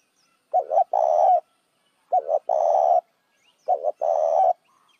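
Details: Spotted dove luring other doves with three evenly spaced phrases about every one and a half seconds, each two quick notes running into a long buzzy coo.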